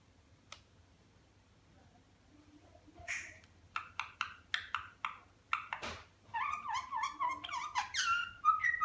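A budgerigar makes a run of sharp, rhythmic clicks, then breaks into a fast chattering warble.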